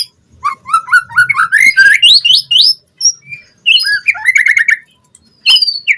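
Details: Lure recording of White-rumped shama song for training captive birds, a fast varied sequence of rising whistled notes and rapid chattering trills, with pauses between phrases and faint low background noise.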